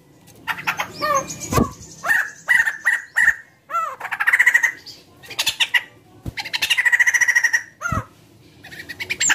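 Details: White-crested laughingthrush singing energetically to prompt other birds: varied squawking chatter, sharp clicks, curved whistled notes and several fast buzzy rattles follow one another in irregular bursts.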